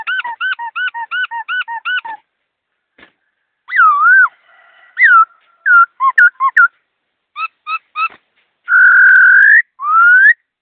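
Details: Caged laughingthrush in fast, clear song. A rapid train of about seven repeated looping whistles, then varied swooping phrases, slurred notes and a long, steady whistle that rises at its end.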